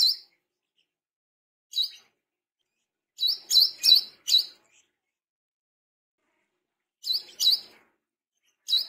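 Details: Tame, wild-caught brown-throated sunbird singing persistently in wiceh style: sharp, high chirps in short bursts of two to four, separated by silent gaps of one to two seconds, with no other sounds.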